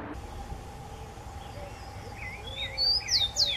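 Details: Soft wavering warbles of another bird lead in, then a Rufous-collared sparrow sings near the end: a high whistle and three quick, falling slurred notes.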